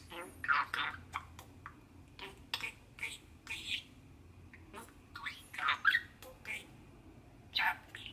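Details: Male budgerigar, aged six, kept as a pet, shouting and singing while standing on its owner's hand at the sink indoors; scattered harsh squawks and short chattering bursts separated by brief pauses, with a low room hum beneath.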